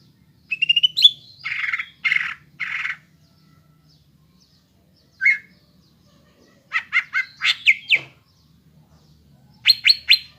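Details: Greater green leafbird song used to get untrained young birds singing: a trilled whistle, three harsh buzzy bursts, a lone note, then clusters of sharp, rapid descending chirps separated by silences.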